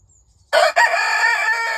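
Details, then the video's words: Leghorn rooster crowing: a loud, harmonic-rich crow starting abruptly after a silent lead-in, with a brief dip then a sustained, steady held note to the end. "Ayam Leghorn BERKOKOK"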